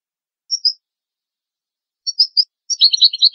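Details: European goldfinch tutoring recording for young goldfinches and hybrids: a few isolated high chirps, a pause, further clipped notes, then the start of a fast, jingling twitter at the end, in otherwise clean silence.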